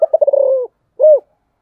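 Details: Low, stuttering coos from a spotted dove in the special 'giọng thổ' song style, speeding into a smooth downward-sliding note, followed after a short pause by a single rounded, arched coo.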